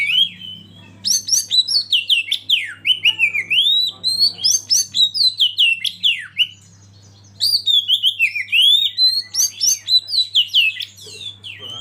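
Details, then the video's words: Oriental magpie-robin song, tutoring recording for caged birds with natural river flow and wild birds: long fluent strings of rhythmic whistled swoops in repeated phrases, a short break, then the pattern resumes. "Masteran Kacer Eksklusif"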